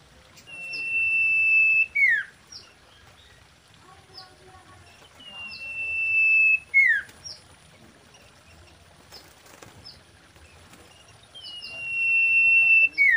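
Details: Common iora (sirtu, cipoh) in mating song, said to be a female, played to lure birds: three phrases about five seconds apart, each a long swelling level whistle ending in a quick downward slur.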